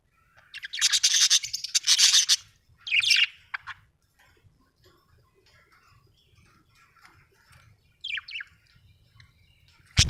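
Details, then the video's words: Budgerigar chirping in short loud bursts of harsh, buzzy warbling, then quiet with faint clicks and a brief sharp chirp near the end; low hum underneath. "budgie chirping sound"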